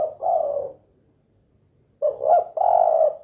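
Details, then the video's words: Spotted dove (derkuku) 'kuk 2' call: a warm coo, a silent gap, then a two-part rolling coo, mellow and low. "SUARA BURUNG TEKUKUR KUK 2 GACOR"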